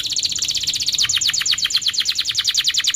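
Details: Canary lure song for young canaries: a rapid, even, high trill of repeated notes throughout, slightly slowing partway.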